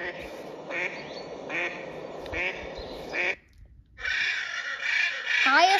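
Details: Female mallard (hen) quacking: a series of five rough, harmonic quacks, evenly spaced and slightly descending, then a short silence and a different voice-like sound afterward.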